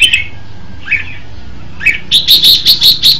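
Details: Red-whiskered bulbul singing three separate warbled notes, then a fast, regular run of about six bright, clipped whistled notes, close and loud.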